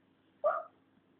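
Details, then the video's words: Pet African grey parrot learning to talk indoors, one short throaty mid-pitched utterance lasting about a quarter second, with a faint low household hum underneath. "my talking african grey"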